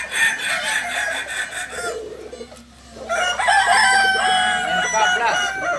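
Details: Balenggek roosters crowing at a Sunday contest, landiak class, Ampang Kualo, Solok city; a bright crowing burst gives way to a short lull, then a louder overlapping chorus of repeated crow notes.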